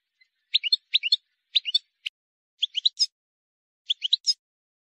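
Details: Wild European goldfinch, recorded to teach young birds: clipped groups of two to four sharp chirps repeated about every half second to a second, with quiet gaps.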